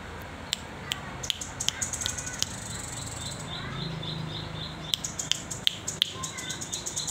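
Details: Young hand-reared velvet-fronted nuthatch, just learning to perch and to sing, giving sharp, very high chips in quick bursts of two to four, with short pauses between runs and a soft background hiss.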